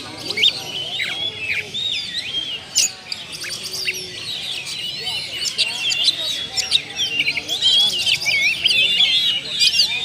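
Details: Kept oriental magpie-robin (kacer) showing off its fills in a lure song: busy mix of curling whistles, squeaky chirps and rapid clicking notes, high-pitched and near-continuous.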